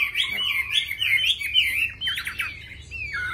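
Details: Caged Chinese hwamei singing fluid whistled warbles that rise and fall, with a few buzzy notes, over a low hum.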